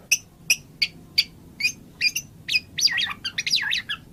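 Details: Spaced sharp chip notes from a white-rumped shama that quicken and then break into looping, warbling phrases sliding up and down.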